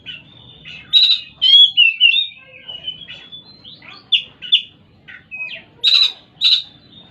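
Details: Oriental magpie-robin singing a varied run of clear whistles and short slurred notes, some rising, broken by brief pauses, with a faint low rumble behind.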